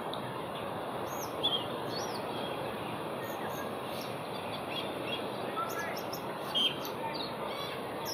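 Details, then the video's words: Asian glossy starling calling in Singapore on 4 September 2021: short high whistled and squeaky notes scattered through the clip, a few louder bright chips, over a steady broad background hum of traffic-like noise. "亚洲辉椋鸟 叫声 Asian Glossy Starling call"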